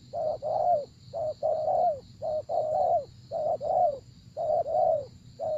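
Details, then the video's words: Spotted dove cooing: mellow, hollow phrases of a short note followed by a longer, slightly falling coo, repeated about once a second in a steady rhythm with a faint background hum. "Gác Cu Gáy"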